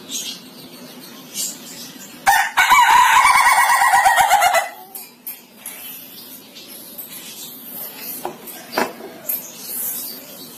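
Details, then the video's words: Ayam Ketawa chicken crow: a loud burst of rapid, rattling, laugh-like pulses lasting a couple of seconds and dropping slightly in pitch, set between quieter stretches of faint scattered background noise. "Suara Kokok Ayam Ketawa yang Lucu dan Unik"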